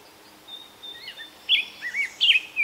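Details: Black-headed grosbeak in the wild by the Fraser River, Delta, BC, Canada, late May 2021, delivering a faint thin whistle, then louder sweet warbled phrases that loop up and down, each note rounded and robin-like.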